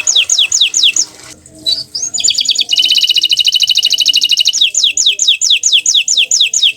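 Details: Green canary delivering repeated descending whistled notes, a brief pause and rising slur, then a dense rapid trill followed again by a run of falling whistles.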